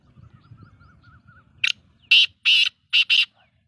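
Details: Black francolin giving a harsh, grating call: one short rasp, then two longer buzzy notes and a quick doubled note, loud and broadband. A faint low rumble and a thin wavering whistle come before it.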